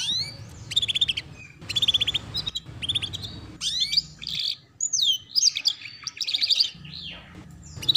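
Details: Canary song used to train young canaries in the ngeriwik sound: short repeated bursts of high trilled chirps, then swooping whistles and buzzy trills.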